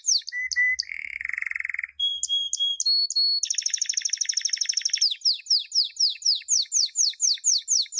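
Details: Canary training song for teaching young canaries, in quick tours: a buzzy low trill, clear high whistles, a dense rattling trill, then sweeping downslurred notes repeated about three per second.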